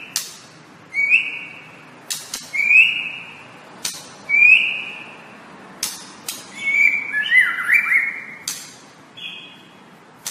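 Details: White-rumped shama master recording for training kept birds: clear rising whistled notes repeated about every one and a half seconds, separated by sharp clicks, ending in a warbled, wavering phrase; faint low indoor hum.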